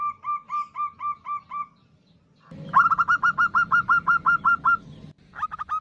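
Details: Local female zebra dove calling a male, used as a lure. Seven soft, evenly spaced coo notes are followed after a pause by a louder, faster run of about twelve clipped notes over a low background hum, then a short final burst.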